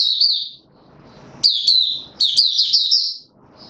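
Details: On 31 December 2021 a male white-eye in form training sings a sustained high warbling twitter broken by sharp upward flicks, in two main bursts with a brief soft gap; faint low noise behind.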